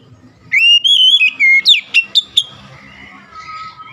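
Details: Oriental magpie-robin singing in a lure recording for sluggish birds: a sustained, wavering whistle followed by four rapid sharp notes, then quieter, softer warbling.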